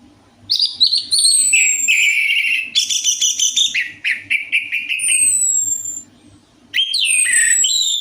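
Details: Orange-headed thrush song played as a lure to prompt a kept bird to sing: loud varied whistled phrases, sliding notes and rapid trills, with short pauses between bursts and a low steady hum beneath.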